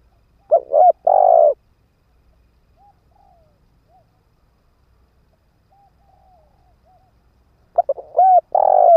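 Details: Ground-decoy spotted dove calling to attract wild doves: one cooing phrase opens the recording, then near silence for about six seconds, then the same stuttered, mellow phrase returns.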